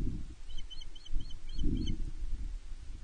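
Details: At Loch Arkaig Nest One, a female osprey begs her mate for fish on 31 May 2023, recorded by a nest camera: a quick run of shrill, evenly spaced whistled chirps against a deep, gusty background rumble.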